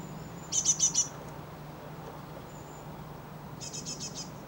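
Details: A great tit in a residential garden in spring, gathering food for its young, gives two short bursts of four quick, high, scratchy notes a few seconds apart, with thin high whistles between and a low steady hum beneath.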